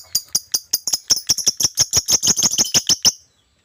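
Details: Lovebird singing hard, a rapid, steady string of about seventeen shrill, scratchy chirps that grow denser and louder, then stop abruptly into silence.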